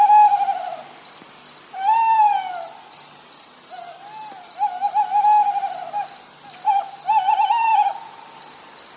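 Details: Little Owl recorded together with a Hoopoe: drawn-out, mewing calls that rise and fall, several in a row, over steady, regular cricket chirping and a high insect drone.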